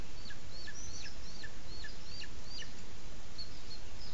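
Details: Booted eagle at a webcam nest in Sierra de Guadarrama National Park, Spain, as the chick is presented to the male: a rapid series of high, thin whistled notes sliding steeply downward, two or three per second, over a low rumble.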